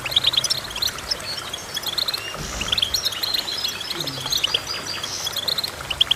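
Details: Rapid, high-pitched twittering from a goldfinch: clusters of clipped metallic chirps and brief buzzy notes. A faint low thump sounds midway.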